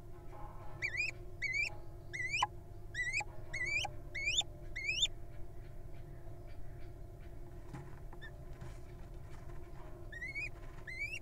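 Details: Wild little owl at a nest box: a series of short, upslurred, squeaky notes, repeated roughly every half second in a run, then a pause and two more. A steady low hum runs underneath throughout.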